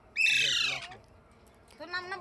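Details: Talking parrot giving a loud, harsh squawk with a falling tone for over half a second, then a quieter, voice-like sound with rich harmonics after a short pause.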